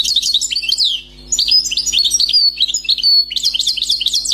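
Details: Wild European goldfinch song, newly caught: continuous quick twittering of bright slurred notes and tinkling trills, briefly pausing once near the start, with faint background hum.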